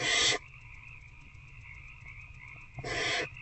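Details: Adult barn owl and older owlet during a feeding in a nest box on the night of 19 February 2024; a raspy hiss ends at the start, then silence with hum before a second noisy screech near the end.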